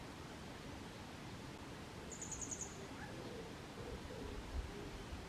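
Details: A grey wagtail in Kotoura, Tottori Prefecture, Japan, 22 May 2023, sings a quick series of about five thin, very high ticking notes, then quiet hiss and a low bump; handheld Canon SX740HS recording.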